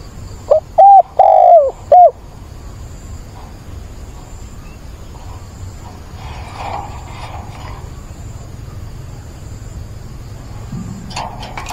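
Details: Spotted dove kept as a decoy, calling to find a mate on 17 September: one mellow four-note coo phrase with a long drawn middle note near the start, then quiet background hiss.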